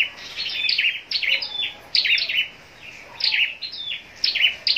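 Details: Caged scarlet-backed flowerpecker kept for singing contests at Long Thành, southern Vietnam, giving high, thin, chirpy twittering phrases. Short bursts of sharp notes repeat roughly every second, separated by brief quiet gaps, over faint background hiss.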